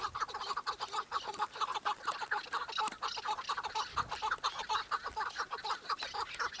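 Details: Chukar partridge calling in a dense chorus of short harsh clucks, repeated rapidly about twice a second and overlapping, with several birds seemingly calling together.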